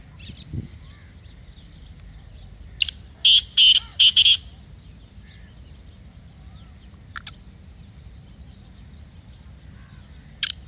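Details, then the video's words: Black francolin, a recording played to make captive francolins call: after a quiet start comes one brief phrase of four or five harsh, grating notes, followed by long silence broken by a couple of sharp clicks. "Kala Teetar masti aur chakri k liye behtareen awaz/Black Teetar Voice"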